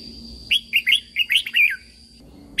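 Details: Red-whiskered bulbul, Thailand, song for training caged birds: one full phrase of six quick, bright notes rising and dipping, ending in a slurred downward note, then the start of another, with a thin high tone behind.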